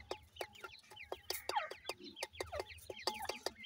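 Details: New-season francolin chicks calling: quick zigzag peeps tumbling over one another, punctuated by frequent crisp ticking clicks and a faint low rumble.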